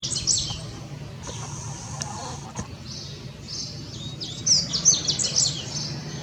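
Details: Yellow-bellied seedeater (papa-capim) song: high, thin chirps and quick twittering notes, a burst at the start, then a denser run of sharp, sweeping notes near the end over a steady low hum and faint background noise.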